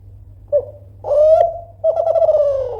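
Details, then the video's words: Spotted dove of the Kelantan type, a keen caller voicing loudly to goad rivals into responding. A short coo is followed by a long rising note, then a throbbing, pulsed coo that slowly falls. A faint constant hum is heard. "DERKUKU KELANTAN GACOR SUARA KERAS MEMANCING EMOSI LAWAN PASTI NYAUT LANGSUNG"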